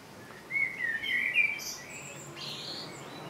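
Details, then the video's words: Blackbird phrase with a rich, flute-like opening warble followed by a brief high, squeaky twitter at the end, typical two-part delivery; a steady soft background hum throughout. "Blackbird song - Turdus merula - შავი შაშვი"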